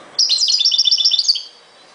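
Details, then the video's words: European goldfinch delivering one rapid, continuous twittering phrase of about a second and a quarter, bright high notes tumbling in quick succession, then falling silent against faint hiss. "غناء جميل لطائر الحسون chante du chardonneret"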